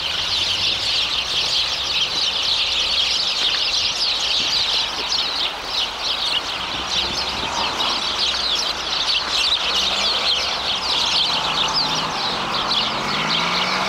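A flock of sparrows chatters in a dense, unbroken chorus of high, rapid chirps and trills, overlapping so closely that no single bird stands out.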